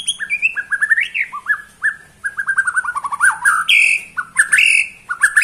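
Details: White-rumped shama from Borneo in a bowing display, singing a lively varied song: rapid runs of short whistled notes, slurred rising and falling phrases and a few higher ringing accents, almost without pause.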